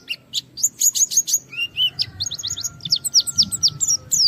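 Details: White-eye singing hard at a rival to set other white-eyes singing: dense bursts of piercing high chirps, a lower buzzy phrase midway, then rhythmic repeated twitters, with a faint long steady whistle and soft low rumbling behind.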